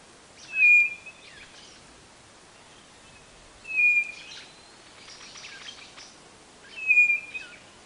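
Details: Song of the White-bellied Nothura from northeastern Brazil: three short, high whistles spaced about three seconds apart. A faint rasping buzz is heard in the background.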